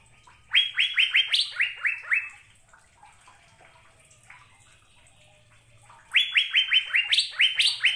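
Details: Two phrases of Asian fairy-bluebird song separated by several quiet seconds, each a fast chain of ringing, upward-sliding whistled notes, with a soft low hum in the background.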